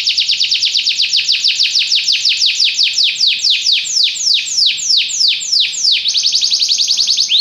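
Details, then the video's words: Belgian canary in full song: a long run of loud downward-swept whistles that begins fast and gradually slows, ending in a quick rattling flourish. "espetacular canto canário belga"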